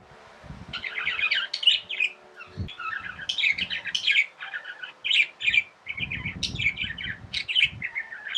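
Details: Tamed pet budgerigars chirping in a dense, continuous warbling chatter of short buzzy and whistled notes, broken by brief pauses, over low thumping handling noises and a steady faint hum.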